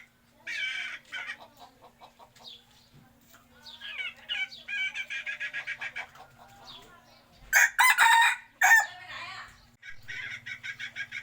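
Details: Chickens cluck in uneven runs of quick pulses. A loud, ragged rooster crow breaks in partway through, and steady clucking follows.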